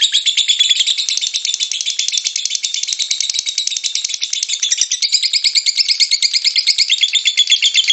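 A lovebird delivers a long, unbroken chattering song of rapid, rattling high notes.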